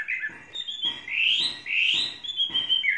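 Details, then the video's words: Chinese hwamei singing in captivity, kept three seasons: loud, sweeping whistles rising and falling in long, smooth phrases, with rhythmic faint tapping in the background. "Hoa mi hót cực hay"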